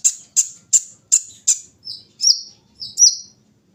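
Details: Kolibri ninja sunbird in the morning dew gives five sharp, evenly spaced high chips, then three short thin whistled notes, each with a tiny flick.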